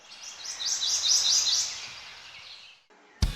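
A Prothonotary Warbler sings a run of five or six loud, high, ringing sweet notes in quick even succession, over faint hiss, ending with a sharp knock.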